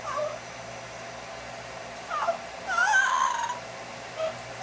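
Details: Yellow-naped amazon hatched in 1987, a pet bird indoors reacting to a blow dryer, makes short scattered wavering notes, then a louder harsh wailing burst midway, over the dryer's constant hum.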